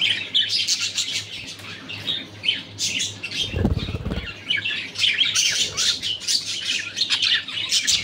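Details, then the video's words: Moody male budgerigars giving a dense, continuous chatter of short high chirps and twittering warbles throughout, with a brief low thumping sound near the middle. "MOODY MALE BUDGIES"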